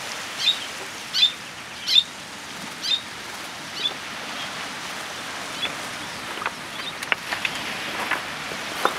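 Wandering tattler giving about five sharp, high notes over four seconds, spacing out as they go, then fainter notes over a steady rushing background.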